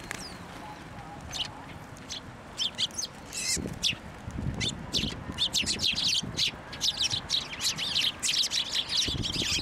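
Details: Sparrows around a feeding hand at a Tenmangu shrine, 18 March 2024, starting with sparse high chirps that build into a busy chatter of quick overlapping tweets, plus low bumps and rustles.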